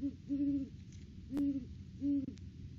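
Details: Wild Great Horned Owl pair duetting at their nest tree in the off-season, December: deep hoots in a stuttering series, short notes followed by longer held hoots, with faint background noise.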